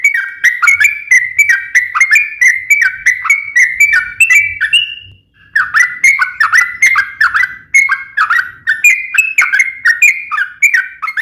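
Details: Gacor trucukan (yellow-vented bulbul) singing the extended ropel panjang roll that is used to trigger nearby bulbuls to reply. Continuous rhythmic series of bright, slurred whistled notes, each repeated quickly, pausing once briefly before the chatter resumes.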